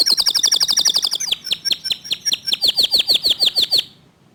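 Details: Local canary with a clear voice, singing fast and tight in the 'tembakan' manner: a rapid high trill, then an even series of sharp notes sliding down in pitch, roughly five a second, before stopping.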